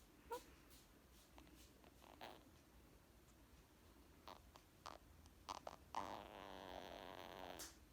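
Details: Pet Indian ringneck parakeet indoors, relaxed while being petted and nibbling; scattered clicks and taps, one short note at the start, then a low rough purring rattle lasting over a second near the end.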